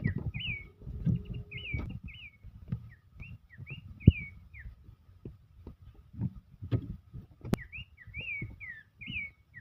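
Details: Abbott's babbler singing as it dances: short whistled up-and-down notes in loose series, fairly soft, over frequent low knocks and handling noise.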